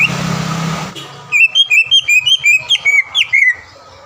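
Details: Green leafbird song meant to provoke an opposing bird: after a burst of noise, a clear string of about ten evenly spaced whistled upslurs, some with a squeaky twist near the end.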